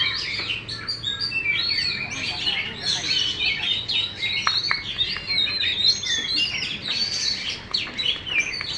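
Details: Contest Oriental magpie-robin with its tail spread wide, singing long, continuous varied song: quick chips, buzzy trills and short whistles, repeated in busy bursts with faint clicks between.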